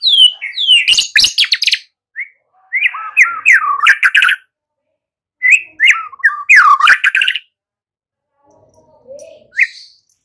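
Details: White-rumped shama song used as a lure to get young birds to sing: bursts of loud whistled, warbling phrases with sharp clicks, separated by silent gaps, a soft low note near the end.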